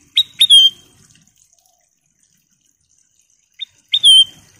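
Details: Kutilang emas bulbul singing loud, clear phrases. Two quick clipped notes lead into a slurred descending whistle. After a pause, a short high note comes before the same phrase repeats.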